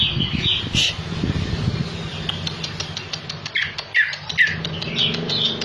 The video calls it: Cucak Ijo GACOR Isian MEWAH